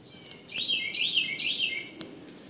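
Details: Bird singing in the morning in AE, a bright run of four to five rapid, wavy whistled notes lasting about a second and a half, with a few soft clicks and a light background hiss.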